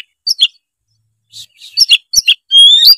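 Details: Singing Oriental magpie-robin, loud and full-voiced, played to prompt a lazy juvenile to sing; quick bursts of sharp chirps and warbled notes, ending in a long, clear, rising whistle.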